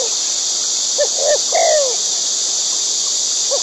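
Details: White-breasted waterhen in the wild, feeding its chicks: one phrase of two quick low notes, then a longer down-slurred nasal croak, with the start of another phrase. Constant shrill insect chorus behind.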